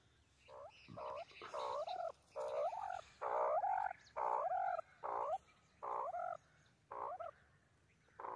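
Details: A white francolin, known locally as white teetar, calls in a steady series of about eleven loud, harsh, arched notes, each under half a second, repeated roughly every second over a quiet background.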